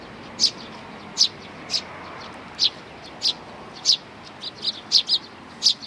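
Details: High, clipped sparrow chirps from a family of chicks and parents, 11 May 2019, repeated at irregular gaps, quickening into a short cluster near the end.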